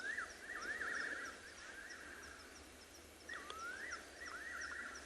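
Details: On an afternoon game drive at Ngala Private Game Reserve, South Africa, on 16 September 2021, Fiery-necked nightjars give quavering, descending whistled phrases, one run after another, over high cricket trills.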